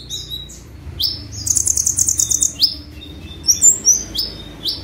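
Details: Energetic sunbird "tembakan" song meant to train other songbirds: sharp rising chirps, a fast high buzzy trill, then scattered thin squeaky notes and upslurs.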